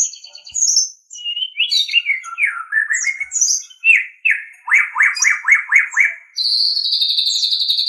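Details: Captive-training recording of a white-rumped shama: varied whistles and harsh squawky notes, then six loud down-slurred notes in quick succession, finishing with a long high buzzy trill.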